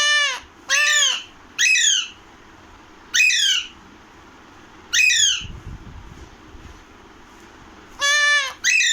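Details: Alexandrine parakeet, called Pahadi parrot, talking and repeating the words "Radhe Radhe": six loud, harsh, rasping syllables, each about half a second long, spaced roughly one to two seconds apart, with quiet gaps between them.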